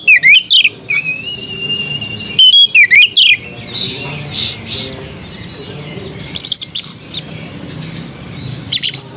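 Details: {'caption': 'White-rumped shama singing melodiously, looping whistles and a long steady whistled note, followed by quieter spells with soft background noise and short bursts of high chatter.'}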